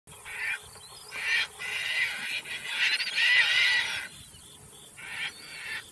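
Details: Caspian tern calling in flight: loud, harsh, raspy squawks repeated in several bursts, the longest and strongest in the middle, with quieter gaps of soft outdoor background between them.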